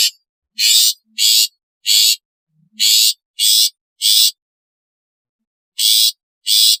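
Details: Long-tailed shrike natural, alarm and lure calls: loud, harsh, rasping bursts of about half a second, in groups of three, then a pause and two more, against near-silent background.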